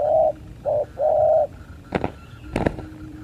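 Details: Spotted doves in a 2023 fight: a short low coo then two longer, smooth hollow coos in the first one and a half seconds, followed by sharp knocking clatters, likely wings or cage contact.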